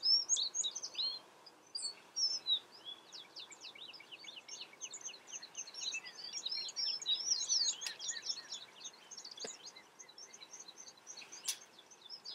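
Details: Several American tree sparrows twittering over each other at a quick pace, a dense run of high, thin chips and short slurred notes.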